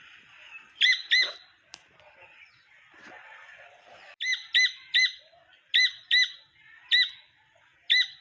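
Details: Young wild partridge calling repeatedly: bright, high doubled chirps, first spaced out then coming about every second in later pairs and singles, with a sharp tap and faint rustling in between.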